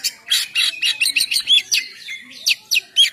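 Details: Oriental magpie-robin song in ngeplong style, used as a lure: harsh, buzzy high chirps mixed with short slurred whistles, delivered rapidly and unevenly.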